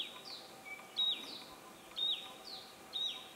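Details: Hill Prinia in Thailand on 12 March 2018 giving short, high, slightly rising whistled "pee" notes about once a second, with fainter high chirps from other birds behind.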